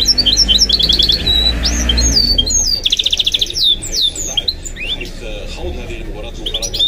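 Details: A captive goldfinch hybrid (mule) sings fast trilled bursts, looping whistled notes and a dense buzzy rattle, varied phrases tumbling one after another above a low rumble that fades partway through.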